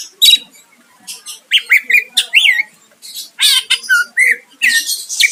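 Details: Vigorous song of a greater green leafbird, used by bird keepers to lure a rival into replying: rapid mixed phrases of bright whistles, buzzy chatter and sharp notes in quick bursts, with short gaps between.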